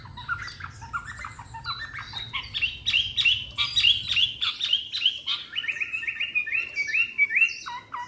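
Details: Caged white-rumped shama, three months old, newly arrived in Hanoi, Vietnam: a long fast stream of chirps and clear whistled notes, rising in strength midway, with a brief low hum at the start.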